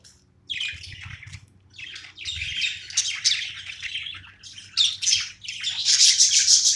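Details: Pet budgerigar at play, giving bursts of scratchy, squawky chirps and warbles with short pauses between phrases, growing busier and louder toward the end.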